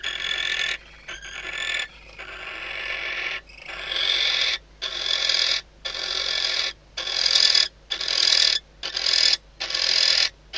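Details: Female barn owl inside a nest box at Riet Vell Nature Reserve, Ebro Delta, at night before the first chick hatches. Harsh, hissing screeches, repeated about once per second in an even series, growing shriller toward the end.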